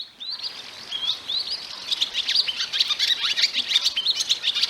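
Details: Barn swallow song, heard in autumn as swallows prepare to migrate to Africa: a rapid, continuous twittering of high chirps and short warbled notes, run together in a lively, slightly scratchy stream.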